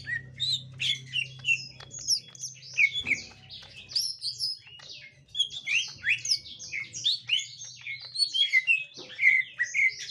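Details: Gotri green leafbird confronting a young wild green leafbird, pouring out jumbled, fast high chirps and squeaks with brief gaps, a steady low hum underneath.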